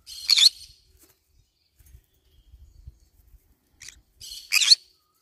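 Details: Green-cheeked conure chewing on banana leaves lets out two loud, harsh, buzzy screeches about four seconds apart, with soft low rustling and handling sounds in between.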